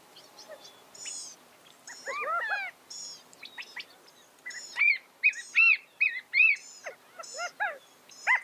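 California quail give short arched, slurred notes in quick bursts, with thin high chirps from other birds overlapping throughout.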